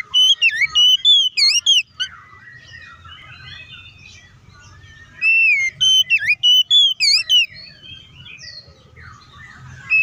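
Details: Singing oriental magpie-robin, played to provoke others of its kind: two bursts of rapid whistled notes, each with sharp upswept and swooping phrases, separated by softer quieter twittering.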